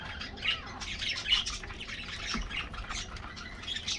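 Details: Colorful aviary budgies at their morning treat give a busy twitter of high chirps, with a couple of sharper squeaky notes standing out.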